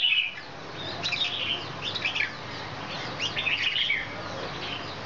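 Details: Excited red-whiskered bulbul performing a wing-dance display, giving bursts of quick, bright, chattering whistled phrases in clusters about a second apart over a faint steady background hum.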